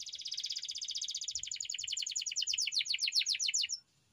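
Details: Somewhat distant canary training song: a long, rapid rattling trill whose notes gradually separate and grow louder, ending abruptly in silence.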